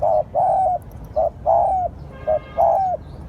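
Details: Lure-calling spotted dove, used to draw in other doves. Three quick pairs, each a short low hoot followed by a longer slightly falling coo, come in steady rhythm against low background noise.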